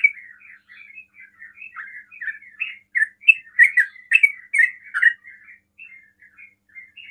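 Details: Sooty-headed bulbul singing in the fast ropel style, meant to provoke other bulbuls to answer: a steady run of short chirped notes, soft at first and then louder, brighter phrases in the middle before fading again.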